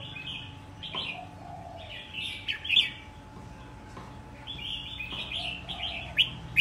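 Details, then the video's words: Caged wild-caught Red-whiskered bulbul, kept a year and now fit for singing contests, delivers short bright warbled phrases in two bursts, with sharp high notes ending each group and a quiet pause between. "chào mào bổi sau một năm có thể thi đấu được"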